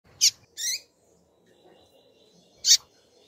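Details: Female rusty-collared seedeater calling, kept as a caged bird: two sharp high chips close together, then a pause and a third bright chip, in a quiet room.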